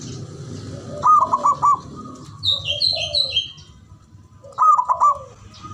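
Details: Male zebra dove calling, played as a lure to prompt quiet birds to sing: two short bursts of quick, clipped cooing notes separated by a pause, with a high, thin chirping of another bird between them and a low background hum.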